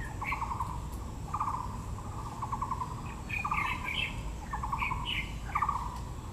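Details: Taiwan blue magpie at Yangmingshan, Taipei, azalea season: grating rattled calls repeated about every second, mixed with several higher chirps from nearby birds and a soft background hiss.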